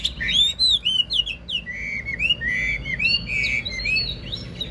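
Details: Caged wild-caught old Chinese hwamei praised for a fine voice, singing fluid whistled phrases with rising and falling slurs and quick trills, clear over faint low background noise.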